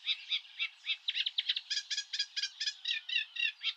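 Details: A Eurasian reed warbler from European reed beds gives its call at normal speed, a scratchy, chattering run of high, grating notes, three or four per second, with quicker churring bursts between.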